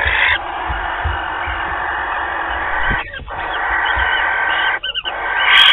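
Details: Barn owl at Théding, France, giving a long, harsh, breathy hiss that runs almost without pause, broken by two brief gaps, on 28 February 2021, at the start of the pair's courtship season.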